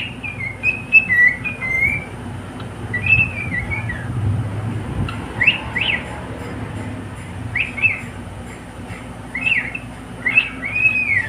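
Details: Singing male pet cockatiel gives scattered high whistled phrases and sharp rising-falling chirps, spaced every second or two, against a quiet indoor background with low hum.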